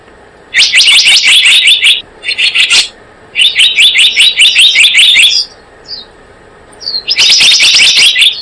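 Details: Blue-eared kingfisher calls used as a bird lure: repeated bursts of quick, piercing high notes, each burst one to two seconds long, with short silences and brief faint whistles between.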